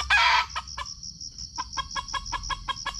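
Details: Opening with a loud harsh burst, a red junglefowl in Sumatra, caught on GoPro during lure trapping, follows with a pause and then a regular run of dry clucks while crickets pulse steadily behind.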